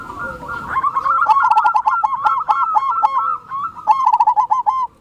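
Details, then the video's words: Wild zebra dove giving a continuous rolling, trilled cooing series of quick bubbly notes that waver up and down at a fairly steady pitch, with brief pauses, over light background chirping. "Perkutut liar"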